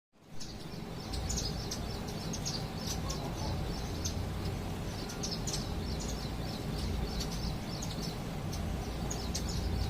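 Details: Indian silverbill in Bhopal: a continuous run of short, thin, high chirps repeated several times a second, like a small flock calling together, over a steady low rumble of background noise.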